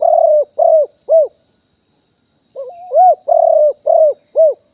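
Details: Wild spotted dove recorded live in 2021 as a decoy bird: the end of one coo phrase, a pause, then a full run of a hitched lead-in and five deep, rounded hooting notes, faint high whine throughout.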